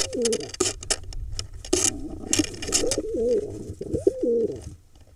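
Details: Male pigeon courting a female inside a barn owl nest box in Israel's Hula Valley on 4 July 2021, giving low, rolling, wavering coos repeated several times amid scuffling and rustling noises.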